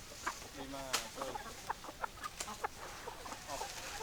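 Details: Chickens clucking: a busy run of short, sharp clucks and brief squawks follows one another every fraction of a second, with a low background murmur.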